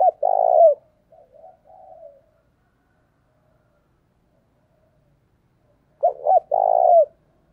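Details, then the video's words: Decoy spotted dove luring wild doves: a long purring coo and soft trailing notes, then several seconds of silence before another two-note-plus-long-coo phrase. "Chim Cu Mồi Như con này anh em nào cũng muốn sở hữu, bổi rừng nghe ức chế mà về cội"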